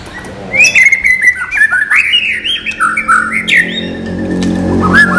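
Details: White-rumped shama, murai batu isian song without bubbling notes: a long steady whistle opens, then tumbling slurred phrases and quick chips, with a low background hum growing toward the end.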